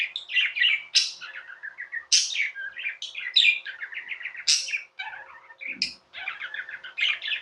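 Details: Tame budgerigars chattering almost without pause, their trilled, buzzy phrases pierced by several shrill upward squeaks.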